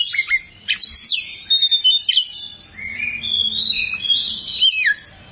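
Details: Oriental magpie-robin in varied continuous song, used as long tutor material for songbirds: quick sharp chips open into sweeping whistled slurs and warbled phrases, rising and falling, with one brief pause midway.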